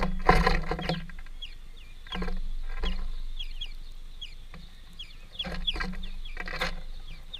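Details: A greenfinch family eating at a workplace calls with quick high, falling notes in loose runs, interrupted by bursts of rattling noise and a recurring low hum.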